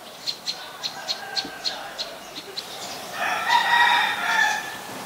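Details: An adult Common Tailorbird in Ubon Ratchathani, Thailand, on 3 February 2023 gives quick sharp high notes about four a second, then a rooster crows loudly over them.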